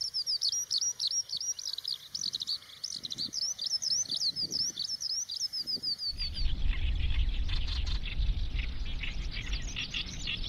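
Eurasian skylark pouring out a fast, high, unbroken warble of chirps and trills for about six seconds, then loud rumbling wind or handling noise takes over.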